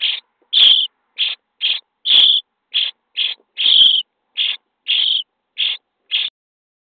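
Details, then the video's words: Feeding time in a starling nest box on day 23: the nestlings give a dense series of hoarse, buzzy high begging calls, thirteen bursts in under seven seconds, with a few sharp knocks. "Szpaki w budce dzień 23 - karmienie piskląt"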